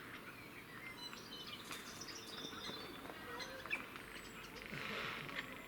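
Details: Jays, four of them, in a fight in Cambridge, UK, 9 April 2020; a broad, grating screech near the end follows faint chirps and high whistles of other birds, with constant low background noise.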